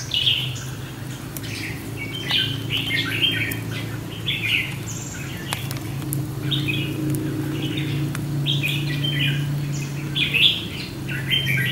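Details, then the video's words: Red-whiskered Bulbul on a sunny warm day, a decoy brought out to lure and tame a wild bulbul at a fighting trap: bright chirping phrases repeated every second or two over a steady low hum and faint voices. "Đem Chào Mào Mồi Đi Thu Phục Bổi Rừng Tố Chất"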